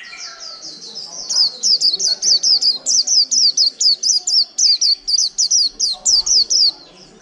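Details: A caged white-eye, wild-caught and held more than a month, delivers a long unbroken líu song: a steady stream of very high, rapid, looping slurred notes lasting about five seconds.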